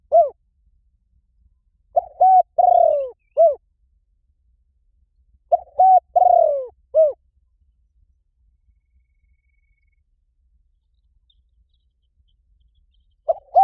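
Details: Spotted dove calling to lure wild doves, its four-part phrase of a short note, a level coo, a falling purred coo and a hooked end note, given twice about four seconds apart with long silences.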